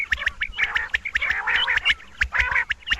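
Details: Night calling of a female quail: quick clusters of bright, clipped notes repeated several times within a few seconds, mixed with faint clicking.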